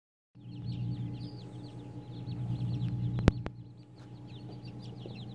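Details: Day-old Silkie chicks, hatched March 16, 2018, in a tub: many thin, high peeps overlapping continuously over a steady low mechanical hum, with one sharp click.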